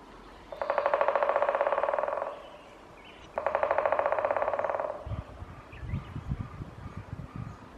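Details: A Great spotted woodpecker drums in spring at Shunkunitai wild bird park, Nemuro, eastern Hokkaido: two long, rapid drum rolls with a ringing, hollow tone, each fading slightly toward its end, then low rumbling wind or handling noise.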